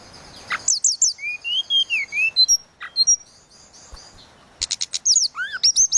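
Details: Flute-like tledekan laut song: rapid high slurred notes, a flowing series of mid-pitched whistled undulations, brief sharp calls, then a dense burst of bright rising whistles.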